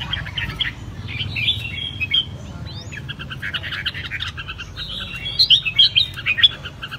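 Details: A caged red-whiskered bulbul sings, giving bursts of bright, chirpy notes and short liquid whistled phrases, busiest near the end, over a steady low rumble.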